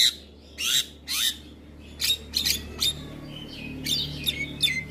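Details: Javan myna training recording played each morning to make mynas sing readily; loud harsh squawking bursts alternate with short gaps, ending in scratchy whistled notes and chatter over a faint low hum.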